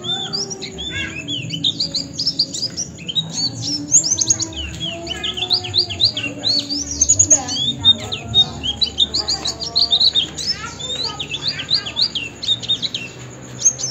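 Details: Oriental white-eye song used as a tutor recording for training birds: dense, fast, high chirping with rapid sweeping twitters and trills packed almost without pause, over a low steady hum.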